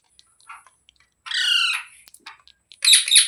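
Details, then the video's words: Parrot calling: faint chatter at first, then a loud rough squawk lasting about half a second, a few soft ticks, and a harsh, shrill double screech at the end. "Parrot Talking Sounds Videos | Parrot Voice |Parrot Ki Awaaz"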